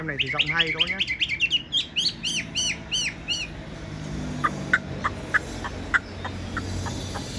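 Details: Captive tame Chinese hwamei with bright yellow plumage, yellow legs and bill: rapid rising whistles merge into ringing arched notes over about three seconds, followed by quieter, evenly spaced short chips.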